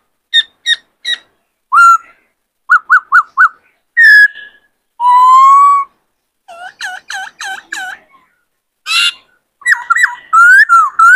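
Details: Caged male White-cheeked laughingthrush, stirred to sing by a wild-caught bird, delivers a varied many-voiced song: short harmonic chips in triplets, then clear whistled notes, a long steady whistle and rapid rising phrases.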